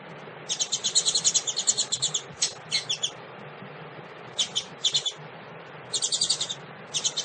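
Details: Calling female double-collared seedeater, said to be stimulating males, delivers bursts of fast, high, buzzy twittering, a long run followed by shorter clipped phrases separated by short silences, with a low hum behind.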